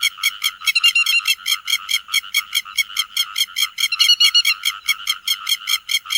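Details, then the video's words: Flock call of grey-headed lapwing: a steady train of sharp, harsh, overtone-rich notes, about two to three per second, with occasional overlapping second voices adding denser clusters. "Tiếng Chim Te Vàng Gọi Bầy"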